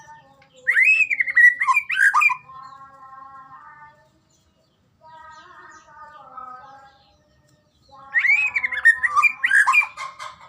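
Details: White-rumped shama (murai batu) in a training recording meant to make shamas sing: two bursts of rich, varied whistled phrases that rise and fall sharply, separated by a lower, steady, reedy droning sound.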